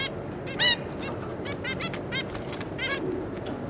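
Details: A captive zebra finch pair and their three juveniles, recorded 26 May 2022, produce a busy stream of short nasal calls and chirps. One louder trumpet-like call stands out early over a constant hiss.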